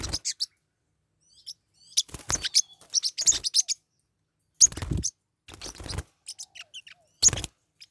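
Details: Forpus parrotlets, pet birds, fighting: short clusters of shrill, rasping chirps and squeaks, several loud bursts with scuffling thuds, separated by brief pauses.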